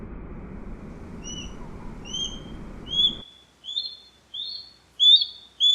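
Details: Osprey (Pandion haliaetus) in the wild calling with high, thin whistles that grow louder and more insistent, each note slurring upward, at first over background hiss that then drops away to clean silence between notes.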